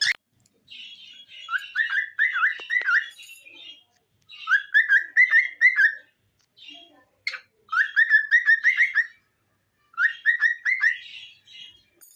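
A cockatiel sings in bursts of quick, warbling whistled notes, each phrase lasting a few seconds.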